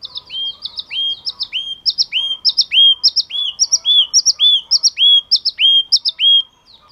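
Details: Yellow-cheeked tit repeating a ringing phrase of quick paired high notes and a drawn-out falling whistle, over and over for several seconds, strong and clear.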